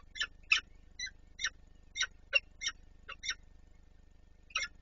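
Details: Peregrine falcons in Warsaw at the Palace of Culture and Science, 26 April 2024, one adult feeding another: a series of short, sharp, harsh high chips, about ten in rapid irregular succession with a gap before the last, over a steady low hum.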